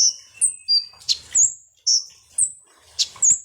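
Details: Sunbird, locally called konin or kolibri ninja, singing on a lure recording meant to agitate other birds: sharp, very high whistled notes, some sliding downward, others flat and steady, given in quick irregular bursts with faint rustling between.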